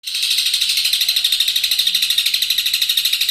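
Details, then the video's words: Long-tailed shrike, a champion bird in full, continuous song, used as a master recording for tutoring songbirds; a rapid buzzy chatter of high notes, pulsing about twice a second, steady throughout, indoors. "BURUNG CENDET MATERI TERBARU,SUPER GACOR+SPEED RAPET"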